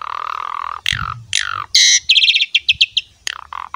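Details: Asian pied starling singing vigorously while puffing up, a lure for other starlings: a long level whistle, then slurred falling notes, a harsh burst and a quick run of high chattering notes.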